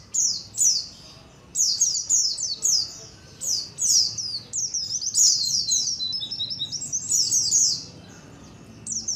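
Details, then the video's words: Colony of white-eyes calling, used as a lure to draw birds in. Busy high-pitched chirping in repeated clusters, downslurred notes overlapping, fading briefly before a last burst. "SUARA KOLONI PLECI COCOK BUAT PANCINGAN PLECI AGAR CEPAT NGALAS | SUARA PIKAT BURUNG PLECI"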